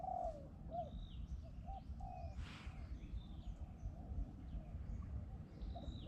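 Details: A Spotted Dove in deep mountain forest in Thailand, with a decoy bird and a wild bird nearby, gives soft, low, hollow coos in a short run early on, over a steady low rumble with faint high chirps.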